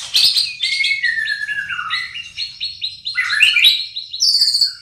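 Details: White-rumped shama composing its song: a fast, continuous stream of stepped whistled notes that slide down, then jump back up to high, clear phrases.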